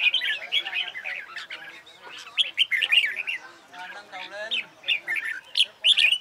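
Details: Red-whiskered bulbul in competition song training, delivering rolling, bubbling whistled phrases with short gaps, some lower twittering notes mixed in, loud and busy.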